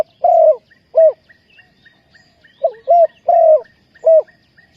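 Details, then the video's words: Spotted dove used as a decoy for luring and trapping wild doves: low, hollow coos in short phrases, two rounds of three notes, the last note longest, with faint high chirps of small birds behind. "นกเขาใหญ่สายต่อดิน,Tekukur pikat,Cu gáy Ninh Thuận,Sound Of dove"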